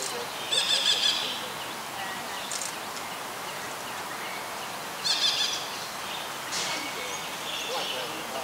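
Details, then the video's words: Juvenile Buffy fish owl practising hunting: two short, harsh, buzzy bursts with stacked overtones, about four seconds apart, over a steady high insect-like hiss and faint background birds. "Juvenile Buffy fish owl practises hunting"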